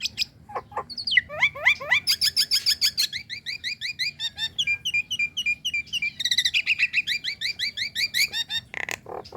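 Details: Nias hill myna, a female calling the male, pouring out rapid varied whistles, rising slurs and chattering notes almost without pause, with a few hollow clicks near the end.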